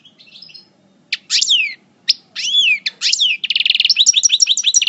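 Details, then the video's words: Moulting Parva European goldfinch coupleur from El Bordj: spaced sharp downslurred chirps and a rising whistled note, then a quick run of dense repeated tinkling notes at the end. "Chant Chardonneret Parva Coupleur En Mue"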